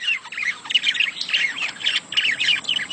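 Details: Budgerigars in mating chatter meant to prompt breeding: continuous rapid warbling with squeaky, buzzy notes packed closely together, no real pauses.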